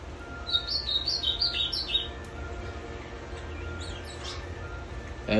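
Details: Caged ultramarine grosbeak of the azulão macaco type, kept five years, singing after three days of travel by bus; a quick run of warbled, rising and falling notes in the first two seconds, then fainter phrases over a steady hum.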